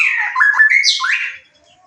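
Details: White-rumped shama song used as a lure to provoke singing through excitement and breeding drive; a single brief, loud phrase of sliding whistles mixed with harsher buzzy notes, then near silence.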